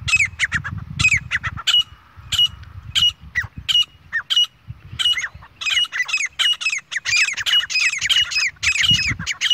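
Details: Grey francolin pair, with a female, calling in jungle: harsh, squawky high notes repeated in quick series about every half second, building to a dense overlapping chorus near the end, with low rumbling background noise.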